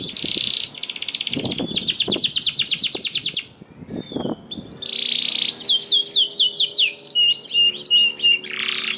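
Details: Canary song used as a lure for reluctant singers: buzzy rolls and fast trills, a short break with low thumping noises, then sweeping whistles, chips and a steady whistled note.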